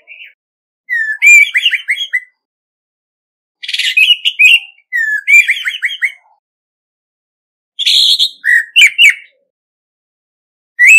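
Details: Orange-headed thrush decoy bird in a singing duel, clean recording: five varied phrases mixing clear rising whistles, buzzy rasps and rapid chirps, separated by short pauses.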